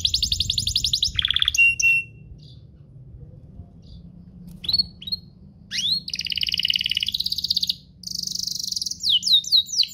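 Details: Two canaries singing as tutor song for young canaries: a trill and short whistles, a pause of several seconds, then buzzy trills and rising high sweeps.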